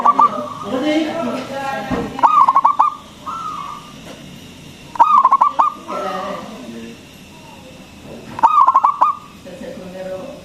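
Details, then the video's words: Local zebra dove, a strong singer with a big voice, played to lure other doves and stimulate their singing. Four bursts of fast pulsed cooing, spaced about three seconds apart, with quieter coos between phrases. "PERKUTUT LOKAL GACOR SUARA BESAR ISTIMEWA PANCINGAN BURUNG PERKUTUT AGAR BUNYI"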